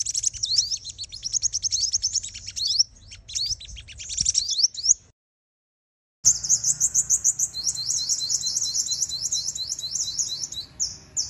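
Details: Female sunbird decoy call used in trapping to provoke males and wild birds into fighting: rapid, very high, thin chirps and trills in dense bursts, a brief silence midway, then more fast repeated sharp notes.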